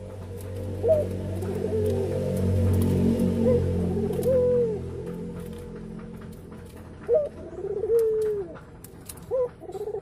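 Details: Local ringneck (Barbary) dove courting in its nest, a sign that egg laying is near, giving soft, low, rolling coos in spaced phrases, each rising then falling, over a steady low hum.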